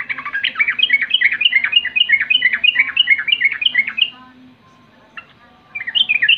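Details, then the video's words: Rolling 'rol' song of a sooty-headed bulbul, used to provoke other bulbuls to answer at once: a dense four-second string of rapid, bouncing whistled notes, a brief silence, then the phrase starting again. "pancingan trucukan Rol mengejek Lawan bikin trucukan lain seketika langsung Nyaut Buka suara"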